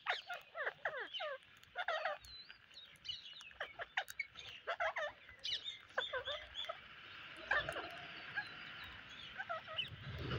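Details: Several parrots calling on a rainy day, a flock of overlapping harsh chattering squawks in quick bursts over a steady hiss, with a low rumble near the end.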